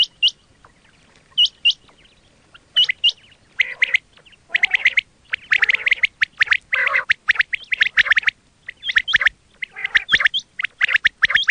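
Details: Quail calls recorded for hunting use: sharp paired high whistled notes at first, then dense runs of harsh, chattering squawks that build into a busy, overlapping chorus with brief pauses.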